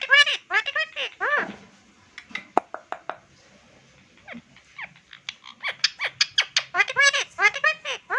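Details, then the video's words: Indian ringneck parrot kept as a pet and presented as a talker: bursts of loud, ringing squawks in rapid strings, a quieter middle stretch of scattered clicks and soft notes, then dense chattering squawks again. "Funny Talking Ring neck Parrot"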